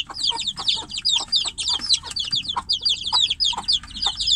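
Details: Chicks in a cage calling to the hen outside; high, thin, downward-sweeping peeps repeated rapidly by overlapping voices, loud and urgent throughout.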